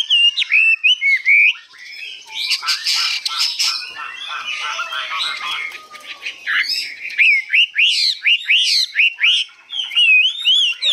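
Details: Hwamei, a newly arrived bird reported 85% tame, singing high in long phrases: opening sweet slurred whistles, a harsh scratchy burst, then fast repeated upslurred notes and looping whistles to the end.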